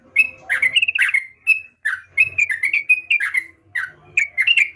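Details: Sooty-headed bulbul singing actively: short, bubbly whistled phrases of slurred and rolling notes, repeated with brief pauses, clear and close.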